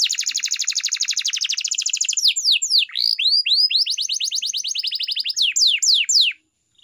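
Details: Canary training song with a rapid rattling trill of repeated downward strokes, then slower looping swept whistles and a renewed fast trill ending in a few drawn-out slurred notes.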